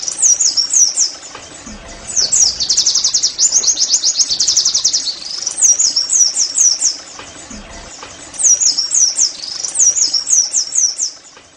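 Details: Oriental white-eye song meant to stimulate caged birds into singing: short bursts of high squeaky zigzag notes, then a dense rapid trill around two to five seconds, more chattering phrases later, brief faint low thuds between.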